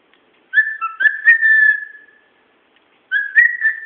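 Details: Pet bird kept at home, whistling away: two bright whistled phrases, each opening with a short rising note and then holding a steady, slightly warbling tone broken by soft clicks, with a silent gap between them.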